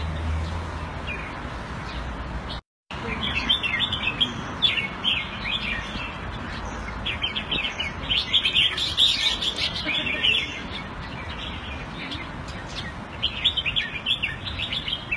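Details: Caged red-whiskered bulbul kept in Singapore and played Thai style, recorded around 14 February 2018; bright warbled phrases of quick chirpy notes come in bursts, with a brief dropout near the start and steady low background hum.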